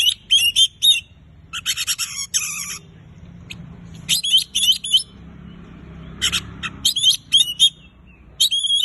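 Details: Oriental magpie-robin (kacer) in lively gacor singing, played to prompt silent birds to sing: bursts of sharp, buzzy chattering notes mixed with high whistled phrases, separated by short pauses, over faint low background hum.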